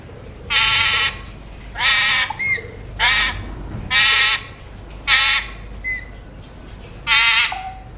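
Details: Alexandrine parakeet, a colour mutation kept as a talking pet, giving loud harsh squawks about a second long, repeated at irregular intervals, with short whistled notes between them; no clear words heard.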